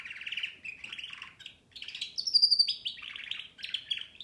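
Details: Continuous canary song of fast rolling trills and buzzy tours, broken by a brief burst of piercing high whistles, with scarcely a pause throughout.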